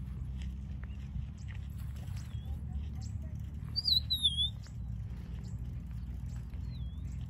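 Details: Rufous-naped lark singing: one clear, slurred whistle sliding downward in the middle, with fainter short whistled notes before and after, all over a constant low rumble.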